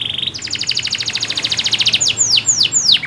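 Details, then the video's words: Canary song for stimulating a non-singing canary: a short steady note, then a fast even rolling trill of about twenty units, followed by three loud sweeping downslurred notes. "PANCINGAN SUARA KENARI GACOR UNTUK KENARI MACET !!"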